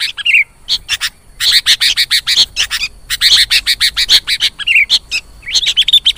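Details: Sooty-headed bulbul (Pycnonotus aurigaster), begging call: chick begging, played as a lure.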